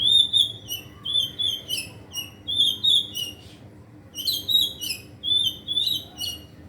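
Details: White-rumped shama learning to sing nonstop and showing off its mimicked fill-ins: loud, ringing whistled phrases with sharp high flourishes, given in bursts separated by short pauses, with little background noise.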